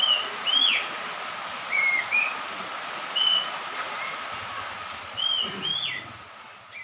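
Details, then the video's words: Orange-headed thrush, young and freshly out of spotted juvenile plumage, in dew and rain, giving sparse clear whistled notes and short slurred phrases separated by pauses, over a steady background hum. "Terapi burung anis merah lepas trotol diembun dan hujan"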